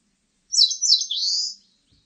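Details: Eastern crowned warbler phrase of two descending slurred whistles and a sustained rising buzz, roughly one second, against a silent background with a faint low tap at the end.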